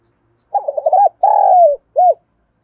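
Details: Spotted dove calling in the morning: a loud cooing phrase of quick throaty notes, then a long drawn-out coo that falls at the end, and a short final coo, all on a clean quiet background.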